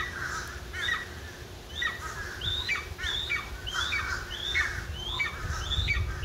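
Golden eagle giving a series of thin, high yelping notes, each sharply rising then dropping, about one and a half per second, over a low wind rumble.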